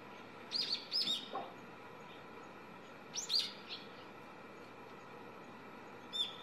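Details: Brown-eared bulbul, a young bird on a wire in front of a house six to seven metres away, utters short, sharp, high squeaks in small clusters every couple of seconds against a persistent low hum.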